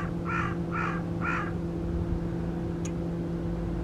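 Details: A tame carrion crow, escaped from captivity and unafraid of people, with a torn string on one leg, at Guia, Cascais, gives three harsh, evenly spaced caws about half a second apart over a steady low hum like traffic or machinery.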